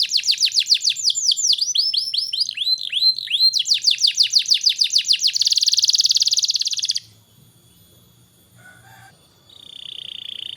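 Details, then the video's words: Canary singing to encourage young canaries to sing: fast repeated downslurred notes and looping whistles, a buzzy rolling trill, then quiet with a brief sustained whistle near the end. "Burung kenari gacor cocok untuk MERANGSANG kenari bahan agar cepat gacor"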